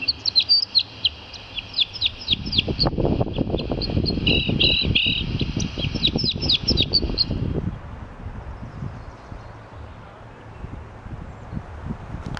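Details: Common chaffinch singing in Turkey, captured with a Fujifilm X-T3: a rapid five-second cascade of sharp high notes that speeds into a rattling flourish, then quiet with low background rumble.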